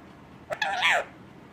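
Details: A pet Indian parrot, kept as a talking bird, gives a single harsh squawk that rises and then falls, lasting about half a second, after a short click.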